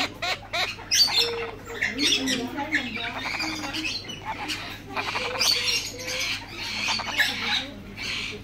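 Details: Three tame male turquoise-fronted amazons, hatched in 2019, give harsh squawks, chatters and short whistled notes, overlapping almost continuously, with a steady low hum behind.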